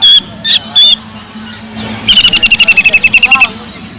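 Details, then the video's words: Greater green leafbird using kingfisher (tengkek udang) mimicry in a training recording for keepers; three loud separate notes, a pause, then a rapid even series of about fifteen sharp notes. "PANCINGAN CUCAK IJO GACOR ISIAN ISTIMEWAH TENGKEK UDANG"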